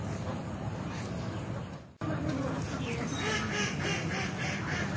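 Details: Native ducks in the water calling "pack pack". After a short break, a fast chorus of harsh, repeated quacks from several birds sounds over a steady hiss of water.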